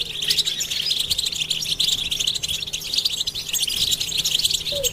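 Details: European goldfinches in a group twittering session used to stimulate silent males to sing: dense, continuous high chirping and tinkling twitters without pause, over a faint steady low hum.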